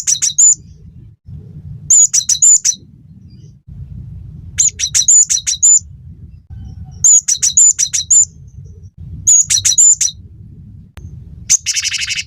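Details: Gelatik batu (cinereous tit) in lively song for teaching songbirds: repeated phrases of rapid, high whistled notes with looping, slurred elements, each phrase roughly every two and a half seconds, ending in a buzzy burst; low rumble underneath.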